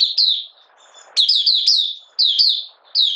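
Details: Kept Malaysian Oriental white-eye, not in form and lightly moulting, 31 July 2023: short bursts of three or four bright falling chirps repeated about every second, with soft rustle between.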